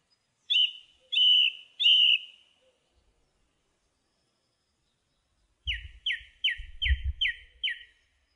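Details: Song thrush repeating a buzzy whistled phrase three times, then after a gap a short clipped note repeated six times, with low thumping noises underneath.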